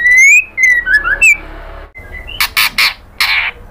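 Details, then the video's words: Female white-rumped shama calling the male: a rising whistled slur and a few short whistles, then a run of harsh, raspy bursts repeated about every half second. "SUARA MURAI BATU BETINA MEMANGGIL JANTAN"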